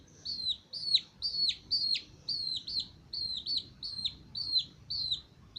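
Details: Twenty-two-day-old male Aseel chicks peeping steadily, shrill descending whistles repeated roughly twice a second, some notes ending in a sharp downward flick.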